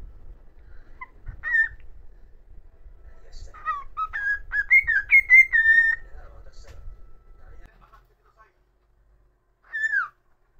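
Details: Solo whistled tune from a pet cockatiel, with a halting run of short whistled notes rising and falling, mostly around one pitch. A brief pause follows, then a single falling whistle near the end, in a quiet room.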